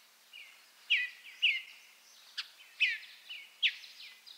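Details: Western bluebird, a small thrush of open parklands in the American West, gives its quiet, chortling calls: soft, slightly burry chirps and short warbled notes, about six in four seconds, with faint background hiss.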